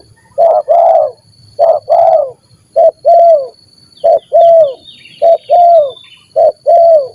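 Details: Spotted dove of the stuttering 'gagap' call style meeting another gagap dove, as used in luring birds: loud low cooing phrases, a short coo then a longer slurred one, repeated roughly every second, with faint higher chirps in the background.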